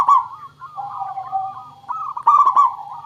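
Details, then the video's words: Zebra dove of a local strain, recorded as a lure to make other birds sing; a continuous rolling coo that dips lower mid-phrase, then a louder burst of clipped, stuttering notes near the end. "Suara Pancingan Burung Perkutut Pikat Paling Bagus Supaya Bunyi"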